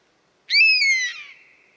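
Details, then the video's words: One loud plaintive whistle from a European honey buzzard, sweeping up briefly then sliding gently downward for about a second, with a harsher trailing tail that fades slowly; otherwise silent. "Mehiläishaukka - Pernis apivorus - European Honey Buzzard - bivråk"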